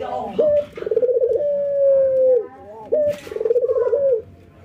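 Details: Ringneck doves, albino white versus local, in routine training and nodding as they laugh. Each phrase starts with a sharp rising note, breaks into a quick rattling trill, then stretches into a long flat coo dropping at the end; two phrases.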